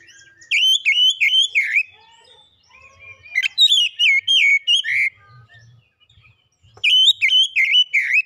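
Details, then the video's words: Gacor song of an oriental magpie-robin, three bursts of repeated down-slurred whistles, each note sweeping down sharply, with short quiet pauses between bursts. "Kacer cepat keluar suara gacor"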